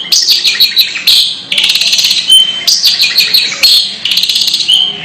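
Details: Long-tailed shrike (cendet) giving an unusual 'ngeker' call. It is loud and harsh, with rapid chattering, scratchy high notes and brief whistled slurs in dense bursts, and short gaps roughly every second.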